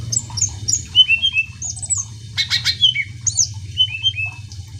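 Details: Greater green leafbird singing nonstop to spur other birds into song: quick paired whistled phrases, a burst of harsh buzzy notes mid-clip, then more high slurred whistles, with a constant low hum behind.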